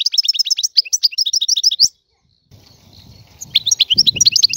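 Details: Algerian European goldfinch, living free, sings a fast string of high twitters and buzzy notes, stops briefly, then restarts over a low rumbling background noise.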